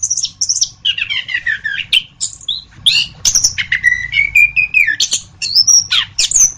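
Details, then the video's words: Orange-headed thrush singing continuously: chattering trills, sliding whistles rising and falling, and a long, gently rising whistled note midway, with phrases packed tightly together in a lively, varied stream. "Masteran Anis Kembang"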